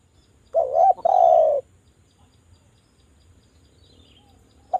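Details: Lure call of a Javan spotted dove: one stuttered coo running into a long, slightly falling slurred note, followed by about three seconds of quiet and a faint starting note at the end.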